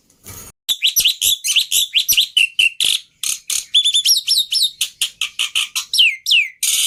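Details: Black-winged starling lure and master song, full of varied fill phrases meant to be easy to copy: rapid bright chirps, buzzy notes and clear whistles, with repeated descending slurred whistles near the end.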